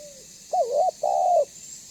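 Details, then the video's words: Spotted dove of the banggo type, calling in a lively way, used as a lure to make other doves call and approach; a faint trailing note, then two loud low coos, the first wavering, the second long and slightly falling. "Suara Burung Tekukur BANGGO Gacor Membuat Terkukur Lain Auto BUNYI Dan MENDEKAT !!!"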